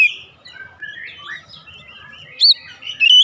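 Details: Oriental magpie-robin song: a quiet run of varied warbled and whistled notes, ending in two loud, clear, sharply rising whistles, with a faint low rumble underneath.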